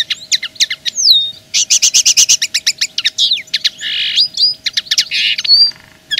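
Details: Common linnet pouring out a continuous twittering song as a territorial claim, with fast runs of repeated high notes, buzzy trills and bright slurred whistles, loud and close.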